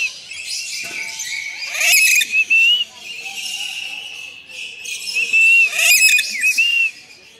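A red lory gives harsh, grating screeches in two loud bursts, mixed with thin, high whistled notes and softer chatter between them.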